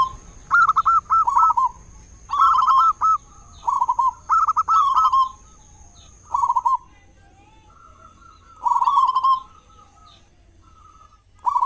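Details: Local zebra dove, loud and singing actively, used to prompt other doves to sing morning and evening; repeated short trilled coo phrases every one to two seconds, then a longer gap before a further phrase.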